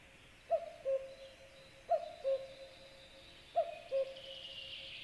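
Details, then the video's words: Common cuckoo calls nearby, at 9:53, giving its falling two-note 'cu-coo' three times at a steady pace about every two seconds, over a soft hiss. "a cuckoo calls nearby"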